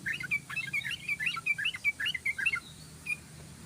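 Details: Yellow-vented bulbul singing in the fast, continuous 'ropel' style, played as a lure for birds: rapid bubbly chirped notes, about two or three per second, each bending up and down, steady for three seconds, then one last note.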